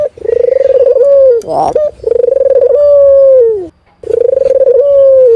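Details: Local ringneck dove cooing energetically beside rabbit cages being cleaned: long, steady, low coos with a tremulous start and a drawn-out falling end, repeated back to back, broken by a short clatter.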